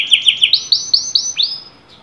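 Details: Short canary phrase of bright whistled notes rising in pitch, repeated about five per second, fading at the end.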